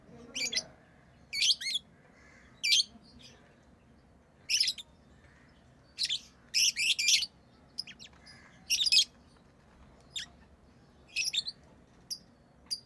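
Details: Lovebirds kept as tame pets chirp irregularly across the recording, giving short, harsh, high-pitched notes singly or in quick pairs, separated by pauses of a second or more.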